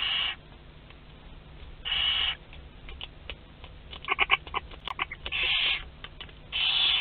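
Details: Western barn owls in a nest box at Théding during hatching of the second brood, 22 August 2021, filmed by webcam: long broadband hissing screeches roughly every two seconds, with a burst of short chittering clicks between them.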